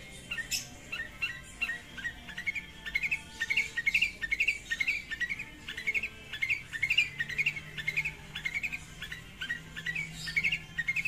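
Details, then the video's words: Long-tailed shrike calling a rival with a dense, chattering run of varied short notes, quick twitters and squeaks tumbling almost without pause over a noisy background hum. "SUARA CENDET GACOR MEMANGGIL LAWAN"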